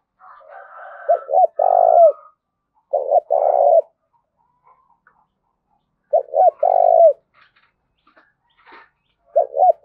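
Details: Spotted dove calling in the thúc and gáy gọi styles with a field-native voice: several phrases of two short hoots and a long mellow coo, spaced a few seconds apart, with faint soft notes between them.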